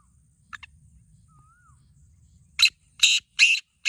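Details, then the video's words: Black francolin: two faint scratchy notes and a soft thin whistle, then a loud grating phrase of four harsh rasping bursts. "Black Teetar Voice/Kala Teetar ki awaz"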